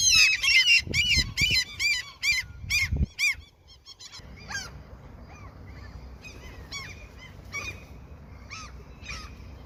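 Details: A crowd of seagulls fed by a person going fishing calls in a rapid series of bent, nasal squeals for about three seconds, then fainter scattered cries follow over a steady low background hum.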